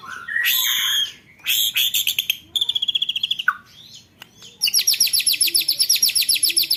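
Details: Contest-bird training song of a white-rumped shama with 'roll tembakan' rolls: harsh high bursts, then fast rattling trills at about four notes a second, a dropping whistle, and a long rapid buzzy roll.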